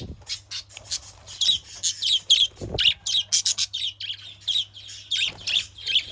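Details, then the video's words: Budgerigar chatter for luring other parakeets, a dense, continuous jumble of scratchy chirps, buzzes and squeaks with barely a break, plus one low thump. "Pancingan burung parkit PALING AMPUH"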